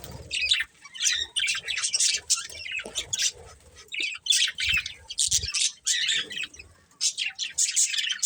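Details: Budgies in a breeding pair chattering: sharp squawky chirps and buzzy warbles in rapid bursts roughly every half second to second, separated by short silences, with light low knocking sounds.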